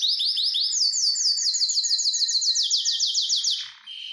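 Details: Worked-up canary song meant to stir birds toward mating: a continuous run of fast, bright, repeated downslurred whistled notes, several tours at changing pitch and speed, ending in a short low buzz and a steady high tone.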